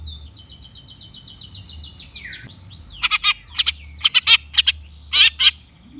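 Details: Long-tailed shrike singing as a lure to prompt silent birds to respond: a long run of high whistled notes sliding gently downward, a lower slurred note, then a burst of loud harsh, buzzy notes in pairs.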